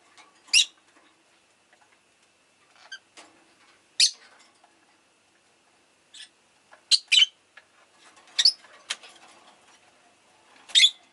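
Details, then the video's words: Rosy-faced lovebird chirping in short, sharp, high bursts spaced a second or more apart, some doubled, over a quiet background with faint town noise. "Lovebird Chirping Sounds"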